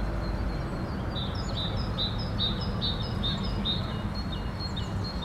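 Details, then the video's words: Great tit song with a wood pigeon in the background: quick, high, piping two-note phrases repeated in a run over constant low-pitched rumble, with another faint bird note near the end. "Grzywacz w tle śpiewu sikorki bogatki"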